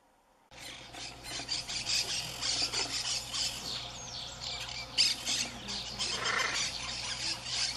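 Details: Wild macaws in Brazil, Pantanal and Amazon, 2016-2017: a continuous stream of rasping, grating squawks and chatter, rough and rapidly pulsed, after half a second of silence, with a steady low hum beneath.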